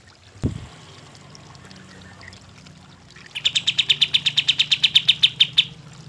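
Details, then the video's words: Kapas tembak bird song used to stir lazy birds into singing; a dull thump, then silence, then a rapid, even series of piercing high chips lasting about two seconds. "kapas tembak gacor cocok untuk pancingan kapas tembak yang malas bunyi"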